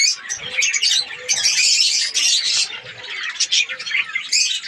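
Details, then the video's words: Budgerigars in a breeding colony in Pakistan, breeding season, chatter in high warbling bursts and sharp chirps, loudest in the first three seconds, then rising again in short squeaky notes. "australian parrots budgies ke birds colony"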